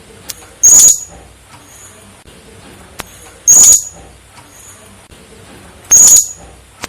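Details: Female blue-crowned hanging parrot, noted as suited for breeding: three brief, sharp, very high-pitched whistled notes, spaced about every two and a half seconds, with near silence between them.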